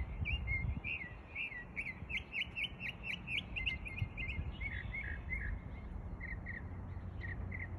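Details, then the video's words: A mockingbird imitates other birds, delivering a rapid string of short chirps and warbled notes that later slow to spaced, slurred whistles, with steady low noise underneath. "Mockingbird…so amazing how they can copy almost any sounds from other birds…"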